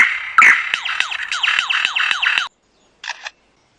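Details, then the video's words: A lyrebird mimics other sounds: a rapid run of ringing, downward-swooping notes, about three per second, laced with sharp mechanical clicks like a camera shutter, then a brief final burst. "This one is different because the lyrebird doesn't just make scary sounds, it copies them."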